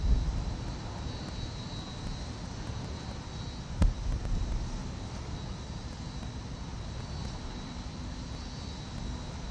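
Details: An aircraft engine roars steadily over city background noise, with faint regular ticking and one sharp knock near the middle, and no animal calls heard.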